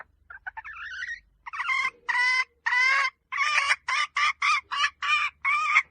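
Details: A hen starts with soft rising clucks, then builds into a loud, harsh cackle of repeated squawking notes about twice a second. A faint low rumble sits in the background.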